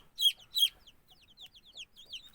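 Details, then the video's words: Several newly hatched chicks that hatched without their mothers, found in the roof space, peep in high, thin notes: two loud downslurred cheeps open, then a quick scatter of softer peeps. "civcivler anneleri olmadan yumurtadan çıkmışlar"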